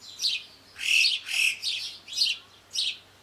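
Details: Yellow-billed chough in the French Alps mountains giving a series of six shrill, high squealing calls, each about a quarter second long, spaced roughly every half second, with strongest notes in the middle; quiet background.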